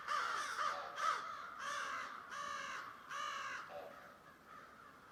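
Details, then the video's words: Thousands of crows in a large flock calling at once, harsh overlapping caws in quick bursts of about two a second with no clear pauses between birds, with a weird noise in the background. "Thousands of Crows Weird noise in the background of them."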